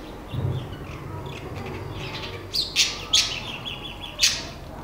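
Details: Great-tailed grackle in a garden in Nezahualcóyotl, State of Mexico: a few sharp, high clicking chips spaced unevenly after a quiet start, over light background hum.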